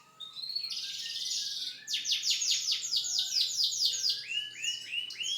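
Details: Canary in full song, opening with a steady buzzing high note, switching to a rapid series of clipped descending sweeps, then ending with a few rising, upslurred whistles repeated in quick succession.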